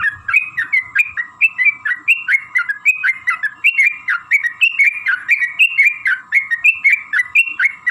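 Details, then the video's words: Sooty-headed bulbul performing a long, rapid lure song meant to prompt other bulbuls to sing: continuous bubbling whistled phrases, each note swooping up and down, pouring out without pause over a faint hum. "trucukan gacor TARUNG ROPEL PANJANG pancingan trucukan agar bunyi"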